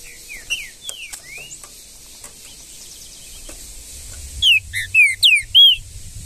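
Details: Green-winged saltator in the wild Brazilian bush: faint distant whistles first, then a close, loud burst of five clear slurred whistled notes near the end, over a light low rumble.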